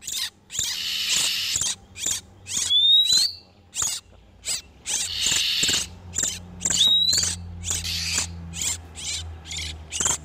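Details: Male and female oriental magpie-robins in breeding condition, recorded as a lure for catching wild ones: scratchy chatter in uneven bursts, two pure rising whistles, and a faint low hum beneath.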